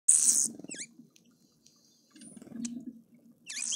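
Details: Red-faced mousebird at a feeder in Pretoria, South Africa, giving thin, high whistles that swoop down then up, with hissy bursts and a low murmuring hum underneath.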